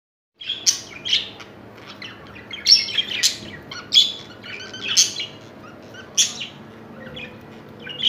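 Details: Caged budgerigars mating; scattered short squeaky chirps and harsh scratchy notes in irregular bursts over a soft background.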